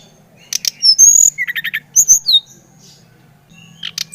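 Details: Singing brown-chested jungle flycatcher (Bali type), used to prompt a young bird into song: sharp high whistles and a quick series of four short notes, then slurred downward whistles, with a low steady hum behind.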